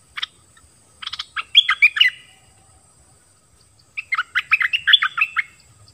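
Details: Wild family of birds. Lively chattering phrases of dense, jumbled chirps and twittering notes come in two bursts with a pause between, over a high faint continuous hiss.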